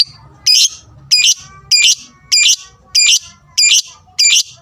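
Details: Lovebird giving its fighter sound, meant to rouse and provoke rivals: seven harsh, buzzy high chirps in short bursts, evenly repeated about every 0.6 seconds, over a faint low hum.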